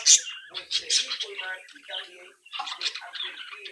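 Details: Captive budgerigar chicks chirping and mimicking; a loud sharp chip opens, followed by buzzy harmonic warbles and twittering, a short pause, then more rapid chatter.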